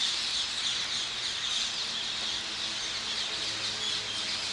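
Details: Several hundred rose-ringed parakeets on the island in the Hofvijver, The Hague, in the morning keep up a steady roar of harsh, high screeching calls that overlap into one unbroken din.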